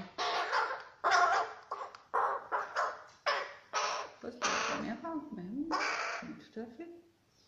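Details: A young crow, a baby fallen from its nest on 11 May 2019, being fed, gives about ten harsh, raspy caws in quick succession, roughly two per second, with a human voice faintly heard at one point.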